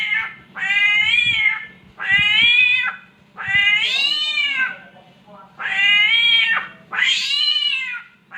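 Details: A samyong copies a cat's mating call with five drawn-out, wavering meows in steady succession, each harsh and nasal with a slight rise and fall. A low hum and soft thuds are heard behind.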